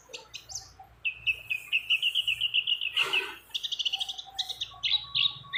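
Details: A female white-eye in breeding condition calls a male within a mix of many other birds: a rapid string of evenly repeated bright notes, a harsh burst, then trilled rattling phrases.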